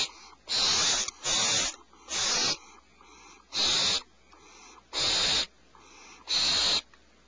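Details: Owlets calling as their mother brings fresh prey to the nest cavity at 04:47 PST; loud harsh screeches alternate with quieter rasps, the strong bursts arriving roughly every second and a half.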